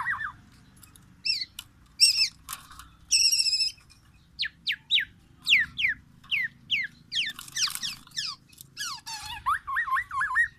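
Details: Sumatran black-naped oriole, Aceh type, in lively song copying white-rumped shama phrases: varied rapid high chirps, buzzy trilled notes, then a looping whistled warble near the close.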